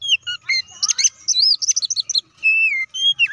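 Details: Oriental magpie-robin singing to stir other magpie-robins: rich varied whistles with buzzy high chattering notes in the middle and long clear slurred whistles at the end.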